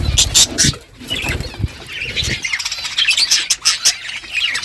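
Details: Morning budgerigar flock calling to one another: sharp high chirps and squeaky warbles, some low flutter or thumping early on.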